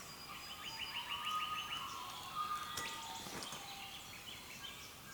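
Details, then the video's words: Early-morning birds on the east coast of Australia, captured with a camera: a rapid ticking trill early on, with steady mid-pitched whistled tones and faint chatter behind it, fading toward the end. "Sounds of Birds early morning in Australia"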